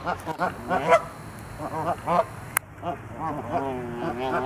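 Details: Canada geese fighting and charging at each other trade loud, angry, nasal honks in quick overlapping bursts, several birds calling at once, with a brief sharp click midway.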